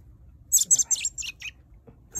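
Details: Hand-fed baby robin, injured with broken feet after leaving its nest, giving a rapid run of five or six high squeaky chirps that drop slightly in pitch toward the end, followed by a soft tap.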